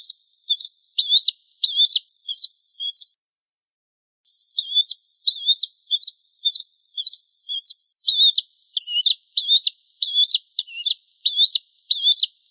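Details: Bar-winged prinia (Prinia familiaris) song used as a tutor recording: quick runs of sharp, high chirping notes, about two per second, breaking off briefly and then starting again.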